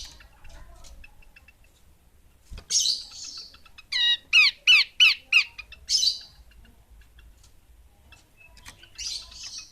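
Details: A female Horsfield's babbler delivers a quick run of about seven harsh, downward-sweeping notes, framed by hissy rustling bursts and quiet background.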